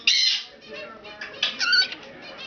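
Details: Two pet cockatiels chatter indoors with their owner, giving harsh, scratchy squawks and short warbling notes.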